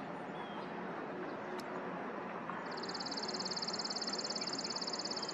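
A Chipping Sparrow gives a dry, rapid, high trill of identical notes on one pitch. Steady roaring background noise runs throughout.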